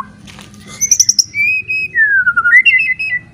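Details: White-rumped shama singing loudly to rouse other shamas to fight: a burst of high trilled notes, then long smooth whistles gliding down and back up, ending in quick wavering phrases; low hum beneath.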